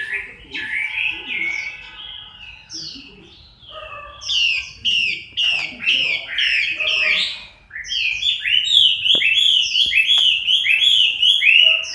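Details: Chinese hwamei during moult, October 2015. Varied song starts with scattered chirps and slurred whistles, breaks briefly, then builds into a long, fast, rich stream of repeated whistled notes.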